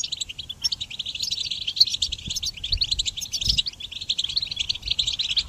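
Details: Goldfinch song used to train songbirds, a continuous, somewhat softer run of high twittering notes and rattling trills with a brief louder flourish midway.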